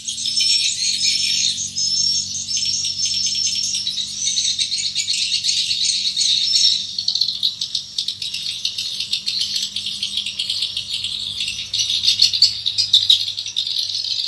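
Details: Swiftlets in a swiftlet nesting building, heard close to the entrance hole as they fly in to their nests. Dense, continuous high twittering and clicking chatter fills the clip without pause, over a faint steady low hum.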